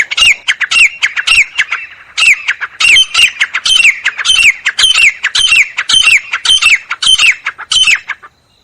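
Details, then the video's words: Wild jungle grey francolin (teetar) calling: a loud, harsh, squawking phrase repeated rapidly, almost twice a second, in an even series over eight seconds with sharp rising notes and no other clear sounds. "Jungle Teetar Calling Sound"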